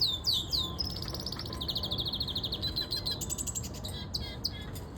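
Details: Outdoors, a siskin canary sings fast high twittering phrases, with swooping notes and a rapid rattling trill, over steady low background hum.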